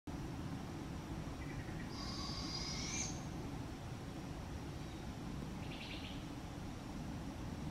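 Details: An older juvenile barred owl gives a harsh, hissing screech that rises over about a second; a shorter raspy burst follows a few seconds later, over a steady low rumble.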